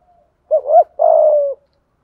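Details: Spotted dove singing its full song in the giọng thổ style with thúc gù cooing: a quick two-part coo, then a longer, buzzy, gently falling coo, delivered once in a quiet setting.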